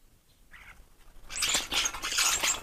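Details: Numerous sparrows at a garden feeding station, including tree sparrows, in a year of many young after a cold, wet spring; after a brief faint chirp, a dense overlapping chatter of chirps builds and continues steadily.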